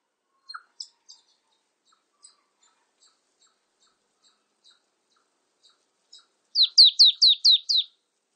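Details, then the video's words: Scattered faint soft ticks come first, then a marsh tit bursts into six loud, high, steeply descending notes in quick even succession near the end. "쇠박새, 여러번 듣기, 곤충소리, 새소리"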